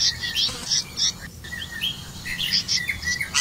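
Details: Red-vented bulbul hunting crickets to feed its young: busy mix of high chirps and lower sliding twitter notes, irregular and rapid.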